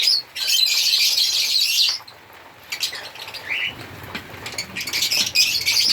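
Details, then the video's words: African lovebirds give bursts of shrill chattering chirps, with a quieter stretch in the middle holding a few isolated squeaks before the loud high chatter resumes. "African Lovebirds singing and chirping sound"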